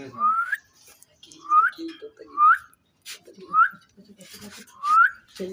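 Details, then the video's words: Caged Indian ringneck parrot, described as talking, gives short rising whistled notes roughly once a second, each sweeping upward and ending sharply, with soft low murmurs and clicks between them in a quiet room. "Gergeous parrot in one cage in amazing talking"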